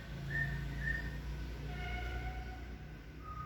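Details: Male and female white-rumped shama during an introduction in which the male will not accept the female: two short high whistles followed by longer, lower, drawn-out whistled tones, with steady low background hum.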